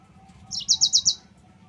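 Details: Yellow-fronted canary song used as a training lure for other canaries: a brief, high burst of four quick, evenly spaced bright chirps, preceded by a short slurred note, over a faint low hum.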